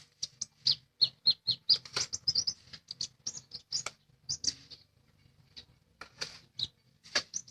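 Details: Lesser green leafbird singing energetically, a busy chattering series of high, bright chirps and twittering notes, some buzzy, coming in close succession with a short lull near the middle, faint hum underneath.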